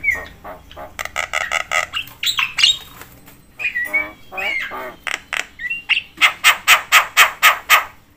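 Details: Javan myna chattering loudly, said to provoke other mynas: varied harsh squawks and whistled slurs, ending in a regular run of rasping notes about four per second.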